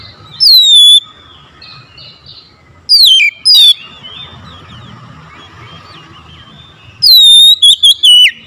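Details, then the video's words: Oriental magpie-robin song meant to provoke a mute, lazy bird into responding. A single loud falling whistle is followed by quiet soft chatter, then a pair of sweeping notes and a closing run of rapid, varied whistles. "KACER BISU MALAS BUNYI PASTI LANGSUNG NYAUT RESPON PASTI EMOSI BONGKAR MATERI"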